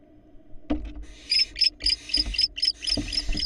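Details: Barn owls at a nest in Florida, a female bringing a rat to one of her young before a love-hate interaction with the male; sharp high chittering notes and brief broadband hisses, with thumps and rustling in the nest.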